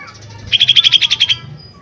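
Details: Lesser green leafbird in a lure recording meant to provoke singing; a short, quick trill of about a dozen clear notes rises out of a soft hum and stops abruptly.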